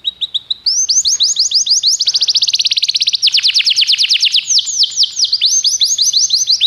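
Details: A Belgian canary used as a tutor begins with a few soft chirps, then launches into an unbroken rolling series of quick sweeping notes that speeds into a rattling trill and slows again; faint low background rumble.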